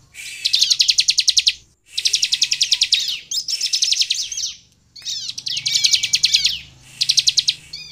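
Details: Sunda bush warbler in vigorous song, played to coax others into singing. Four or five long, loud, very fast high rattling trills, one with a steady thin whistle beneath, are separated by short pauses.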